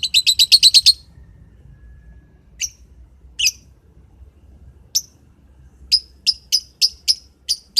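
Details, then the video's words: Morning lovebird calling: a rapid run of seven piercing high chirps, a pause with a few isolated squeaky notes, then another fast string of shrill chirps at the end. "Burung lovebird di pagi hari"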